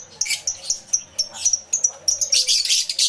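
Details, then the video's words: Many lovebirds in an aviary, camera with two external microphones: sharp high chirps repeated roughly every quarter second, ending in a louder burst of overlapping shrill chatter. "Lovebird Sounds Aviary Series"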